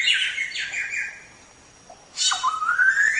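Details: Black-throated Laughingthrush song used to train songbirds: a few short slurred notes, a quiet pause, then a harsh burst leading into a long rising whistle.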